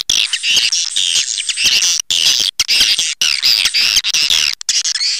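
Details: Calls of swiftlets meant to draw swiftlets in, heard as a continuous loud chatter of high, buzzy, twittering chirps overlapping densely, interrupted by a few brief silences; nothing else audible besides the birds.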